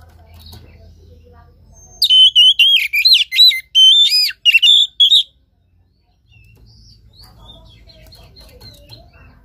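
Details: Oriental magpie-robin song for urging a quiet caged bird to sing: a three-second burst of loud, quick whistled notes with steep upward and downward sweeps, then quiet background hum.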